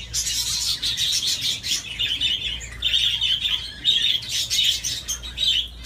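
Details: Budgerigar playing on its swing, keeping up a busy, buzzy warble broken by short bright chirps, loudest bursts near the middle and end, over a soft steady hum.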